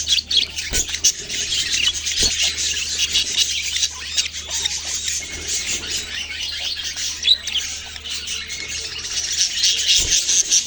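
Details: Young budgies in a noisy chattering chorus, many high scratchy squawks and rapid twitters blending together, with a few brief dull knocks in the background.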